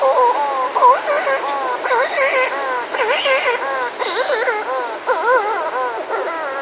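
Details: Buller's shearwater pair recorded close up outside a burrow with other birds and surf; loud harmonic, wavering moans repeat in bursts about once a second, each dipping and rising like a whining cry.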